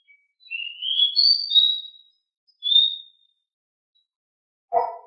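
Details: Pied bushchat (decu) giving its lively 'ngeroll' song. One rising whistled phrase is followed by a short clear note. A sharp low knock sounds at the very end.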